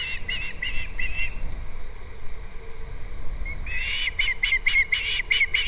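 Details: Captiva nest-camera recording of an osprey on February 2nd: a short chirping burst, a lull of a couple of seconds, then a rapid string of piercing whistled notes, several with rising inflection.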